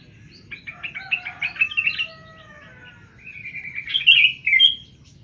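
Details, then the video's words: A newly caught wild bird, taken the day before, singing soon after capture: quick runs of high chirped notes, then a longer warbled phrase of bright whistles, with faint low background rumble. "Burung dpet kmren lngsung bunyi"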